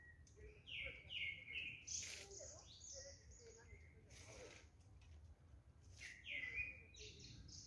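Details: Birds singing in the morning on 5 June 2022, with a string of quick whistled notes and descending chirps in bursts, brief pauses between phrases, some higher thin notes, and steady low background noise.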